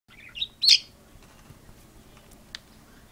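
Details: A pet parakeet and cockatiel argue with a quick burst of sharp, high chirps and scratchy notes.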